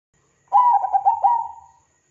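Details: Actively singing zebra dove, used as a lure to get other zebra doves singing. A soft cooing phrase: bright first coo, a string of rapid bubbling notes, and a slowly dying end note. Otherwise quiet.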